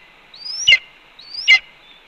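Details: Red-tailed hawk at the nest, afternoon of 4 May 2013, vocalizing as its mate eats a pigeon. Two loud calls: a long thin whistle climbing upward, then a strong harsh descending burst, under a steady background hum.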